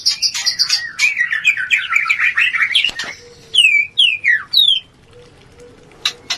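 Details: Oriental magpie-robin song meant to raise breeding urge: a fast run of warbled notes, then three loud downslurred whistles, followed by near silence with a faint low tone.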